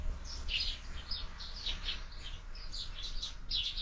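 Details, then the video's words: Morning chirping of sparrows at a window-mounted feeder used for year-round feeding; lively, tumbling chirps follow each other closely for the whole stretch, with a low hum beneath. "Воробьи в кормушке - Утро"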